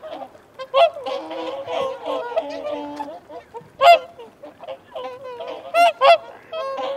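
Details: Whooper swan flock making feeding and territorial calls, honks trumpeting in loose bursts roughly every two seconds, several sharp loud peaks, with a low steady tone near three seconds and wigeon and mute swans nearby.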